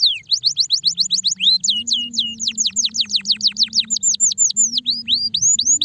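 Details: Canary song described as that of stressed canaries: rapid series of loud whistled notes sweeping down from high pitch, repeated several times a second, shifting into faster trills, with a steady low hum beneath.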